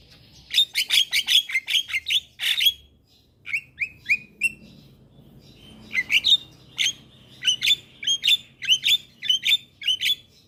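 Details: Black-winged myna song played as a lure for young birds: fast bursts of sharp high chipping notes in runs, separated by a few slurred whistles and a brief quieter gap.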